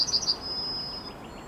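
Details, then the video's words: Yellowhammer in morning song, 9 May 2021: the last three high clipped notes of a phrase, then a long, level, thin held note lasting nearly a second, followed by quiet. "Trznadel i jego poranny śpiew"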